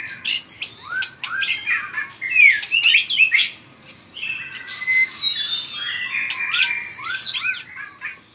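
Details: White-rumped shama singing in fighting style with vigorous tail-flicking: dense, varied phrases of looping whistles, quick down-slurs and clicks, pausing briefly midway before a bright, fast continuation.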